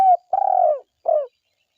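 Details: Spotted dove, a lively forest caller, ending a phrase with a long rolling, slightly falling coo followed by a shorter closing coo, after a brief lead-in note. Silence follows.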